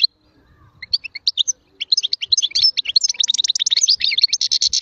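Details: European goldfinch song: a fast, varied twittering of liquid chirps and tinkling notes, sparse at first and then a dense, continuous jangle, with faint low knocks underneath.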